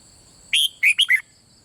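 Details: A single brief red-whiskered bulbul phrase in bern style, sung to stimulate other birds: a rising whistle followed by three quick, lilting notes that drop in pitch.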